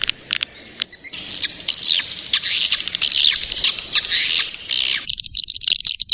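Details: Young swiftlets make harsh, high squawks with short downward-sliding notes in uneven bursts, separated by brief gaps and scattered clicks.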